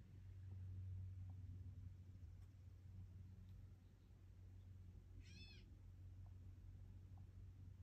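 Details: A single nasal, cat-like mew from a gray catbird, brief and arched, set against a constant low-pitched rumbling background.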